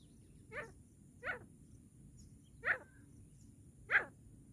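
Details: Partridge call used to attract partridges for trapping: four short, sharp, rising notes spaced about a second apart, each a little louder than the one before, over a low steady hum.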